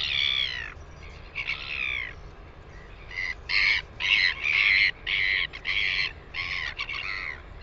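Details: New Zealand Northern royal albatross, 9 September 2020: a rapid series of coarse, buzzy braying notes, first drawn out then chopped into short bursts roughly twice a second, with a quiet background.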